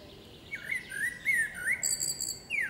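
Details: Female common blackbird singing among forest trees: smooth, looping flute-like whistles, then a strained high twittering end and a falling whistled note.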